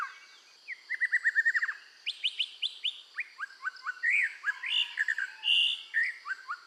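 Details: Red-whiskered bulbul in full song while being trained to sing: quick runs of rapid repeated notes, then bright varied chirps and slurred whistles in short bursts, lively and strong throughout.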